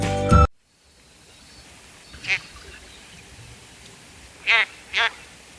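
Ruff giving three short, nasal, quacking calls, one alone and then a quick pair, after a brief burst of music.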